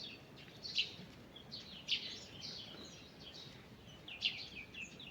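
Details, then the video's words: Several wild birds singing in a forest in the morning: scattered high, thin chirps and short twittering phrases, with three sharper notes standing out over steady background hiss. "Morning Birds Singing in the Forest"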